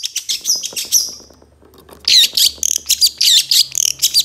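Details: Long-tailed shrike in a master recording for training songbirds: fast varied chatter, a brief lull, then loud sweeping whistled notes repeated at a quick, uneven pace.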